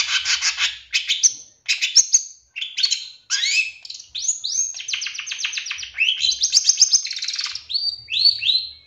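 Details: A champion Long-tailed shrike (2023) sings a lure to trigger quick, emotional singing: rough buzzy bursts give way to long rising and falling whistled phrases and rapid trills.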